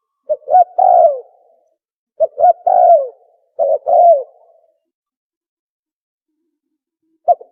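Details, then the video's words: Lure call of a spotted dove for hunting, three phrases of clipped coos leading into a longer falling coo, roughly every one and a half seconds, then silence and a final short note. "Tukmo sound effective sound call | for Hunting"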